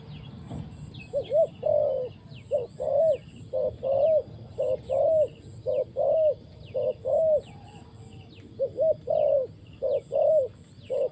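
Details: Spotted dove decoy in a trapping setup gives a long, steady series of paired coos, a short note then a longer one, roughly one per second. Faint high chirps and low background rumble accompany it.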